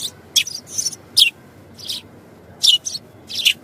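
A sparrow gives short, bright chirps in irregular bursts of one to three notes, high-pitched and sharp, with a faint background hum.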